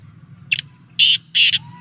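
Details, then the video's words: Black francolin (kala teetar) calling in an excited, lively mood: three harsh, buzzy bursts, a short one followed by two longer ones about half a second apart, over a low steady hum. "kala teetar ki masti ki voice | کالا تیتر کی مست اور آواز | Black Francolin"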